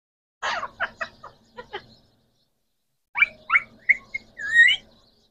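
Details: Green Pakistani talking parrots, three pet rose-ringed parakeets, produce a burst of quick rasping chirps, a pause, then several whistled upslurs ending in a drawn-out wavering note.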